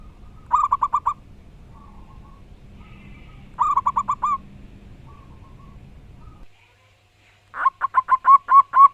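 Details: Local wild-type zebra dove singing loudly: short bursts of rapid, evenly pulsed cooing notes repeat several times, with softer low coos and hum between bursts, then a brief silence before a final strong pulsed phrase.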